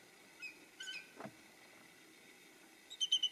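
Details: Bald eagles in the background, behind one eagle perched in bright sunlight, give thin, high squeaky notes: a few scattered chirps, then a quick burst of three or four piping whistles at the end.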